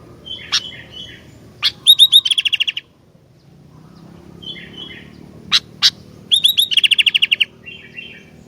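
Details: Sooty-headed bulbul in full song: a short bubbly warble, then a fast run of about eight bright, evenly spaced notes. Both phrases are repeated after a pause, with sharp clicks between them.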